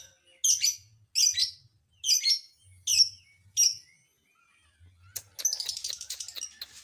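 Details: Lovebird voicing a provoking call at other lovebirds: five sharp squeaky chirps spaced under a second apart, followed by a dense, continuous shrill chattering trill.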